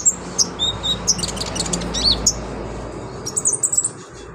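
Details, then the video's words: Brown-throated Sunbird singing lively imitated phrases as a tutor for other birds. Scattered very high chirps and short whistles end in a quick twittering run, over a steady low hum. "BURUNG KONIN GACOR LINCAH BONGKAR ISIAN COCOK BUAT MASTERAN"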